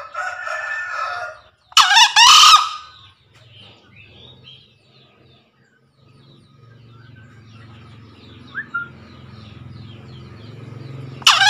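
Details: A male green junglefowl calling to a rival, used as a lure sound, gives short, hoarse, harsh crows in two loud bursts, with another at the very end, as faint birds chirp in the background.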